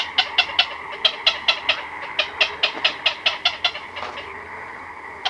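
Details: Chicks and adults of black-crowned night heron in a nocturnal colony, recorded close: a run of about twenty sharp, dry clicking calls at a rapid, slightly uneven pace. The run pauses briefly, then resumes with one last click.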